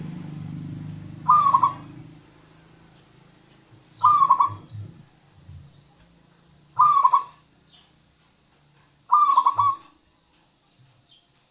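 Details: Local zebra dove song used as a lure for trapping wild doves and prompting reluctant doves to sing: four stuttering cooed phrases, each a quick rising-falling run of notes, spaced about three seconds apart, with low rumbling noise early on.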